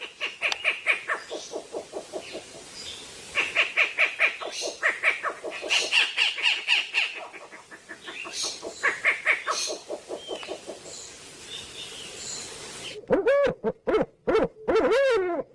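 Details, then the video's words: Unidentified bird singing a busy, chattering song of rapid harsh repeated notes, around two per second, in bursts with brief pauses, ending with a few louder wavering tonal notes. "suara burung apa ni bosqu"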